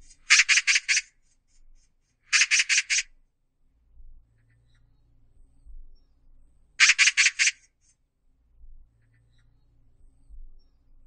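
Oriental Magpie giving three bursts of harsh, rattling chatter, each four or five rapid grating notes, separated by pauses of a few seconds; faint low rumble between.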